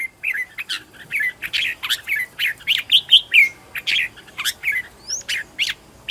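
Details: Caged red-whiskered bulbul used as a home-trained decoy for calling in wild birds: a lively, continuous run of short warbled and slurred whistles, each phrase rising and falling, delivered in quick succession for about six seconds.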